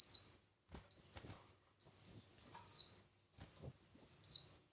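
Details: Red-whiskered bulbul competitive song: bright whistled phrases, some shortened to a rising slide, others arching and falling at the end, delivered roughly every second or so.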